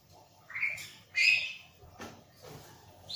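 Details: Plain-throated prinia singing actively, unbothered by a nearby myna: a few high, sweeping chirps and squeaky notes with gaps between them, plus a brief lower knock, over faint low rumble.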